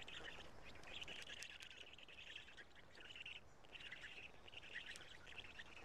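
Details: Storklets of the Black stork at a nest in Karula, morning of 3 June 2017, while the male feeds them. Harsh, buzzy rasping comes in several bursts separated by short gaps.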